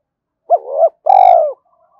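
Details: Spotted dove giving a provoking coo to call in wild doves for a fight. The phrase has two parts: a clipped note that flows into a mellow held tone, then a long, slightly descending coo.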